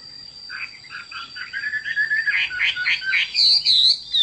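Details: Chinese hwamei singing a run of warbled phrases that climb from mid-pitched slurred notes to louder, higher whistles near the end, over a steady faint high tone.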